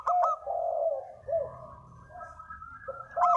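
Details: Spotted dove giving a lure call: low, hoarse cooing notes at the start and end, with a softer purring coo and faint background calls between.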